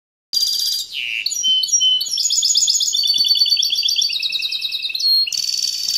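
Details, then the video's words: A European goldfinch hybrid sings a fast, high twittering song of buzzy trills and bright chirps, with a sharp upward whistle and dense rapid notes running continuously. "Un super mulet trop fort"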